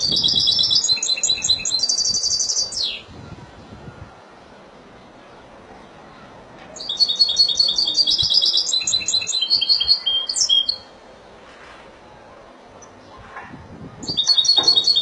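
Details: European goldfinch of the Spanish Malaga style singing: bright, rapid twittering phrases with tinkling trills, in bursts of about two to four seconds separated by pauses, over faint background hiss.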